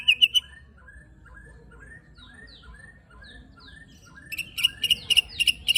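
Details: White-rumped shama coarse 'tembakan' fill meant to provoke rival shamas: soft slurred notes repeated in a quiet series, then a burst of loud, sharp, high chips closing the passage.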